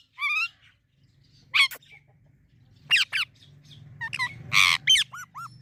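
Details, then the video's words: Pet green parrot producing isolated harsh squawks and short rasping bursts with brief pauses between them, plus a couple of downward-curving whistled notes, over a low steady background hum. "Parrot Talking video| Green Parrots moments"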